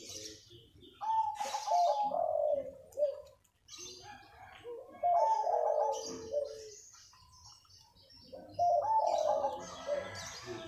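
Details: A local wild zebra dove in the morning gives three soft, mid-pitched cooing phrases, each a quick stuttering trill then a drawn-out coo, spaced about four seconds apart.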